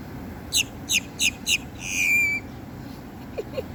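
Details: Great-tailed grackle producing four quick, sharp downward-sweeping notes about a third of a second apart, then a drawn-out whistled squeal, ending with two soft low clucks.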